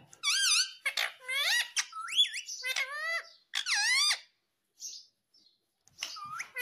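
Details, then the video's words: Green Indian ringneck parakeet talking: a run of rapid, rising and falling harmonic speech-like phrases. A loud burst near the start, then several arched syllables, then quieter fragments toward the end, indoors. "Natural Sound of Talking Ringneck green parrot 🦜 Original audio 😯 Indian Ringneck Parrot 🦜"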